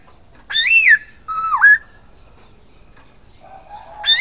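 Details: Silver-eared laughingthrush in song, giving a ringing arched whistle and then a lower note that dips and climbs, with a faint wavering tone before the next phrase begins.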